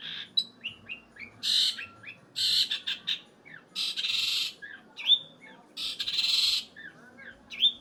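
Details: Long-tailed shrike mixing loud, harsh buzzy rasps lasting about half a second with thin upslurred and downslurred whistles, in an irregular pattern.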